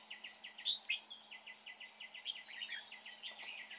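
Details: Red-whiskered bulbul, a good singer, at a trap: a steady row of short, clipped chirps at a quick, even pace, with a brighter whistled note near the start, over light hiss.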